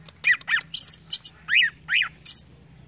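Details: Green leafbird song, played to get a young caged bird answering quickly: loud arched notes sweeping up and down, alternating with higher clipped double chirps, about eight phrases in three seconds over a faint low hum.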